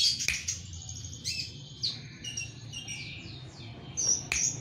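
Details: Long-tailed shrike chirping at once: bright, high chirps and downslurred notes come in bursts, with a few sharp clicks and a low steady rumble underneath.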